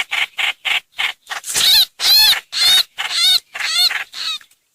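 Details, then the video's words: Streak-eared bulbul lure call: a series of short clipped notes building into longer, louder phrases of bright, quavering chatter, about two bursts each second. "Tiếng chim trao trảo- hoành hoạch mồi mới 2022"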